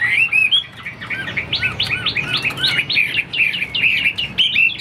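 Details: Caged Chinese hwamei kept for sale, described as a fighting bird that spreads its wings in display, delivering a dense run of loud, varied whistled notes with quick rising and falling slurs, phrases tumbling one after another without pause.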